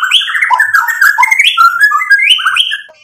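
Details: Loud, varied song of a white-rumped shama in full voice, rich in borrowed phrases and used to goad rival shamas into singing back: a continuous stream of rich whistles and trills that climb, drop and switch pitch rapidly before fading out.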